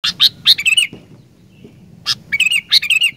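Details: Sooty-headed bulbul singing to stimulate other bulbuls to sing: short bursts of bubbly, warbled notes, then a pause and another similar burst of quick liquid phrases, two groups in all.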